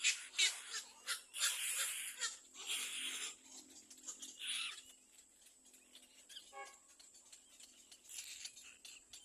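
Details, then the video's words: A little black cormorant chick in the nest cries loudly on seeing another bird approach: loud, harsh, raspy hissing cries in bursts about a second long, repeated several times, with quieter rasps between. "BABY BIRD LITTLE BLACK CORMORANT SEES ANOTHER BIRD COMING TO THE NEST AND CRIES LOUDLY"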